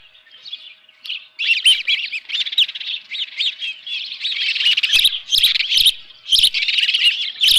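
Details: Ospreys calling at the nest with a live fish on a June morning in 2018: a long, building sequence of shrill, excited chirps, growing louder and denser, broken by sharp clattering thumps.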